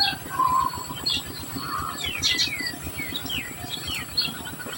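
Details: Society finch feeding its young: busy cluster of quick sharp chirps and short downslurred notes, several overlapping, some lower warbled sounds early, steady background hiss.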